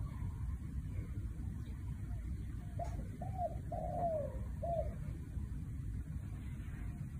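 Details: One "1 kuk" cooing phrase from a spotted dove in the middle of the recording: short hooting notes, a long descending coo and a final short note, set against steady low-frequency noise with brief quiet stretches before and after.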